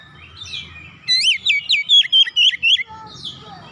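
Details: Oriental magpie-robin kept at home, singing in ngoyak style right after hearing another bird, unloading its repertoire. About eight loud, high, zigzagging whistled notes come in quick succession between quieter thin sounds, over a low hum.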